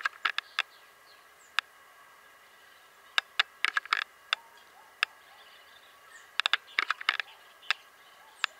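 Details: Hooded tanager (Nemosia pileata), call.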